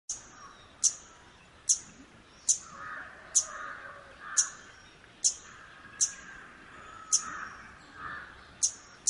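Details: Nilgiri flowerpecker (Dicaeum concolor), a tiny nectar- and fruit-eating forest canopy bird, near Bangalore, India, gives sharp, very high ticking notes about once a second over a faint murmur of distant voices or traffic.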